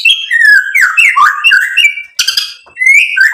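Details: White-rumped shama song used to excite other birds: continuous flowing whistled phrases rising and falling, a short buzzy rattle near the middle, then a rising whistle.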